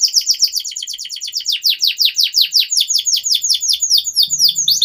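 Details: Long, continuous canary song for training young birds: a steady, fast series of loud down-slurred chirps, about three per second, with a faint low hum appearing near the end.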